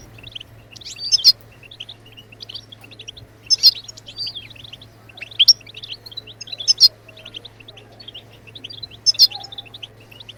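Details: Song of a European goldfinch for stimulating other birds to sing: continuous liquid twittering broken by emphatic sharp notes every two to three seconds, with a constant low electrical hum.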